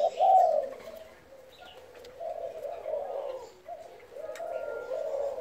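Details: Spotted dove delivering thúc-style cooing: a loud opening coo, then a series of softer, throaty, low coos in uneven groups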